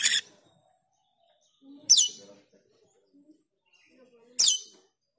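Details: Black-winged myna call, used as a lure to train the cucak keling songbird: three loud, harsh, broadband bursts roughly two and a half seconds apart, with faint low murmurs between them.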